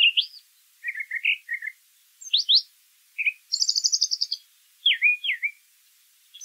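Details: Brown thrasher singing in nature, a long varied run: looping high notes, low chattering triplets, sharp upsweeps, a rapid high trill and doubled swooping whistles, phrases often repeated.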